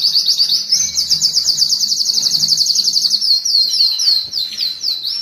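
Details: Canary in excited song meant to stimulate breeding and tutor young birds: a continuous loud, very high rolling trill, about four pulses per second, wavering slightly in pitch, with faint low hum underneath.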